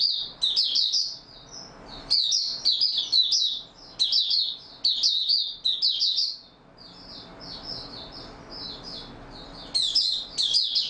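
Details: Oriental white-eye, recorded 28 February 2022, singing openly and consistently: repeated high, lively twittering phrases with a softer, quieter warble in between, then a loud burst again.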